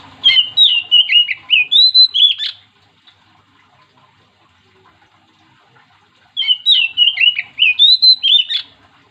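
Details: Oriental magpie-robin song used to set other magpie-robins singing: two identical loud phrases of about eight quick, varied whistled notes, separated by nearly four seconds of near silence.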